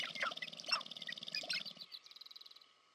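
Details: Sharp-tailed grouse displaying for courtship, American Prairie Reserve, Montana, USA: busy overlapping clucks and squeaky notes over a rapid low rattle, which stops partway, leaving a fading fast pulsed buzz.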